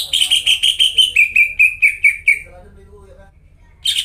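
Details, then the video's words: Lure song of a greater green leafbird for restarting silent caged leafbirds: a fast series of repeated whistles that slowly falls in pitch and fades, a quiet pause with faint low murmurs, then an abrupt loud note. "PANCINGAN CUCAK IJO GACOR BUAT CUCAK IJO YANG KONSLET DAN MACET BUNYI"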